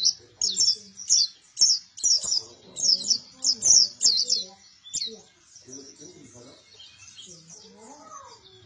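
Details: White-eye of the local type called pleci buktoni, singing vigorously: rapid, high twittering phrases of sharp chirps and trills in fast bursts for about five seconds, then fading to softer scattered notes with faint background murmurs.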